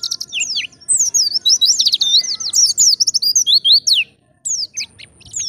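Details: Wild-type white-eye (pleci) singing energetically: a fast, loud stream of high, sharply sweeping twittered notes, continuous for about three seconds, a brief pause, then a few more quick notes, against a quiet background.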